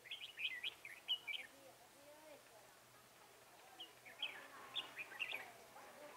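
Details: Red-whiskered bulbul singing while being trapped with a lure bird, 10 December 2017: two clear runs of quick, bubbly whistled phrases separated by a short pause, with fainter lower chirps from other birds nearby.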